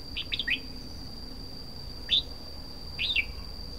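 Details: Red-whiskered bulbul singing three brief phrases: a quick cluster of chirpy warbled notes, then a single sharp rising note, then a short looping whistle, separated by pauses and accompanied by a continuous high hum.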